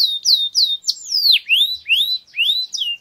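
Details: Canary tutor song for teaching young birds: clear whistled slurs, some falling and some rising, repeated about three times a second in a bright, lilting sequence. No other sounds.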